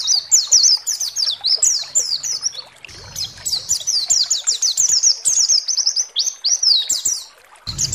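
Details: White-eye (pleci) lure song played to make other white-eyes sing. A long, dense stream of fast, high twittering notes, each a quick descending slur, with a brief low rumble near the middle and at the end.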